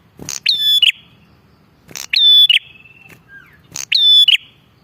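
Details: Bar-winged prinia used for luring, calling energetically: three phrases about every one and a half seconds, each a rattle then a ringing level whistle with buzzy finish, soft trailing notes after.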